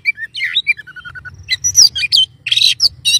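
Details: White-rumped shama song: sweet whistled phrases, then a falling run of short clear notes and a thin held tone, then loud harsh chattering bursts.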